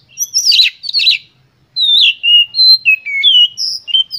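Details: Oriental magpie-robin (kacer) in energetic full-emotion lure song meant to provoke other birds: two harsh scratchy bursts, a short pause, then a run of clear varied whistles sliding up and down.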